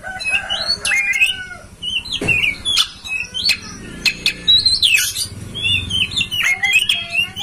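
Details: Master song of an oriental magpie-robin, used to coax a kept kacer into tail-spreading ngobra singing: a jumble of whistled slurs, harsh squawky bursts and sharp clicks, with a faint low rumble in the middle.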